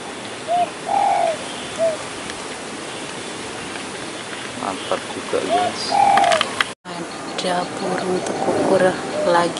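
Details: A Spotted Dove, seemingly a male, perched near the Ciliwung river during a hunting trip, gives soft, mellow coos in short two- or three-note phrases separated by pauses, over a hushed rural background with a man speaking.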